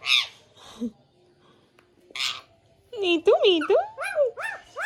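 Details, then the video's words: Green parrot talking, saying "Mia Mithu chori khani hai": a few breathy syllables, then a rapid run of looping, rising-and-falling harmonic sounds in quick succession. "Mia Mithu Chori khani hai speaking clearly || Beautiful Green Parrot"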